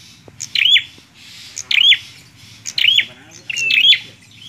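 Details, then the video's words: Vigorous bar-winged prinia song used to test another prinia: four harsh, twanging buzzy phrases about a second apart over a steady low background hum. "PRENJAK KLAWU GACORR"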